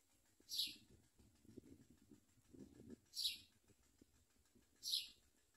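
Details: Common myna adults bringing locusts to feed hungry chicks; three short, high, squeaky chirps roughly two seconds apart over a faint low rumble of background noise.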